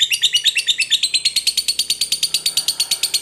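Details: Fighter lovebird in long ngekek chatter: rapid, evenly spaced high notes about seven per second, steady for the whole stretch, pitch stepping slightly upward partway through, no other sounds.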